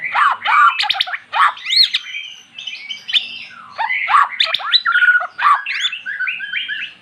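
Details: A magpie-robin, said never to have sung, breaks into full song after hearing recorded magpie-robin song. Rich, rapid, continuous phrases mix fluty whistles, steep slurred sweeps and chattering notes with hardly a pause.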